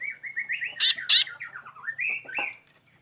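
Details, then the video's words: Black drongo in a unique vocal sequence: wavering, slurred whistles rising and falling in pitch, broken by two loud harsh rasping bursts, ending in a sharp downslurred note and upward whistle. "suara unik srigunting hitam"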